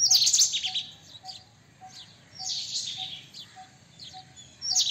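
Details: White-throated kingfisher, a loud grating chatter at the start, a longer softer rattling phrase midway, and another sharp burst at the close, with scattered thin chirps and a steady faint ticking behind.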